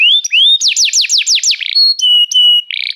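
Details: Restless canary song opens with rising whistles, moves into strong descending sweeps, then flat sustained whistled tones and a short buzzy roll.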